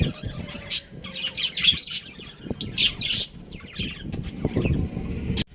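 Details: Pet budgerigars of a breeding pair chirping in clustered bursts of shrill, squeaky notes separated by brief lulls, over low background rumble, ending with a sharp click.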